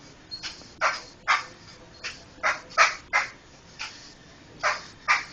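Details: Laughingthrush (poksay) chatter recorded for teaching other songbirds: about ten coarse, clipped notes, each a short rough burst, spaced unevenly about half a second apart.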